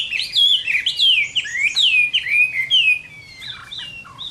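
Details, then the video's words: Chinese hwamei fighting song at summer midday, a series of bold, sweeping whistles sliding downward, repeated rapidly, then trailing into quieter scattered notes. "HỌA MI CHIẾN HÓT TRƯA HÈ"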